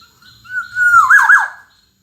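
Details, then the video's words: Black-naped oriole, one fluted song phrase: a couple of soft lead-in notes, a long even whistle, then a rich rolling warble of downward loops fading out. "Kicau Burung Kepodang Emas Gacor"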